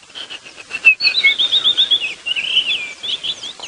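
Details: White-browed Scrub Robin giving quick, varied whistled phrases that slur up and down after a few short dry notes, part of the dawn chorus on a morning safari drive at Djuma Game Reserve, 11 December 2015; hornbills, doves and francolins call faintly behind.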